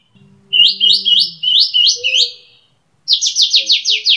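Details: Cage-kept kapas tembak bulbul giving rising, slurred notes in quick succession, then a pause and a run of sharp falling chips, over a faint low hum.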